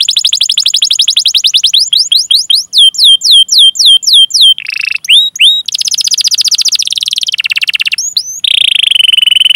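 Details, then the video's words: Canary song used to lure other canaries into singing, a long continuous performance: rapid descending whistled sweeps repeated in quick series, then buzzy trills and rolling chirps, shifting between tours every second or so, loud and clear. "Masteran Suara Burung Kenari Gacor Panjang cuit cuit Ngerol untuk Pancingan Kenari!"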